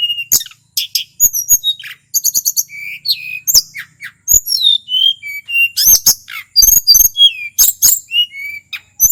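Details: Wild local male shortwing (tledekan gunung) from Mount Merapi singing energetically, a rolling varied song used to stir other birds: high whistled notes, rapid trills and sharp clicks in fast bursts with short pauses, no other sounds.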